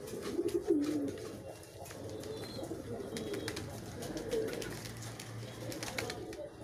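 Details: Pigeons competing with each other for food, giving low, soft cooing notes over a steady background of rapid pecking taps and rustling.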